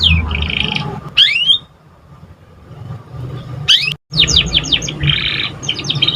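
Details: Young canary beginning to sing: a buzzy trill and loud sweeping whistles, a quiet pause, then rapid descending chirps and a rolling trill.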